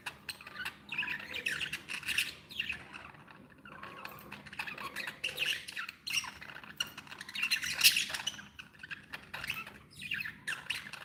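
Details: Happy budgerigars kept as pets chatter in uneven bursts of raspy squawks and quick chirps, several birds calling over one another with brief lulls.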